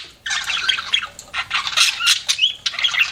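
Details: Budgerigars kept as pets give dense, rapid chirping chatter, grating warbles mixed with brief whistled upslurs and clicks, packed into an unbroken three-second stretch.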